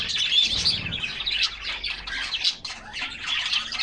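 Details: A flock of canaries enjoying a summer bath, chirping and splashing; a sharp whistle opens, then choppy bursts of high chatter with short pauses between them.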